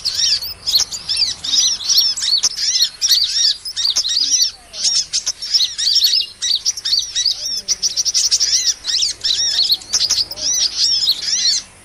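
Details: Sunbird calls played to attract small birds for trapping: an almost nonstop stream of high, squeaky, slurred chirps in rapid bursts with quiet lower echoes, and a few sharp ticks between them.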